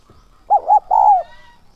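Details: Spotted dove used as a decoy to attract wild birds, with 'son' voice and 'thúc' and 'gáy gọi' call styles: a single soft three-note coo ending in a long note, followed by a faint, thin whistle from another bird.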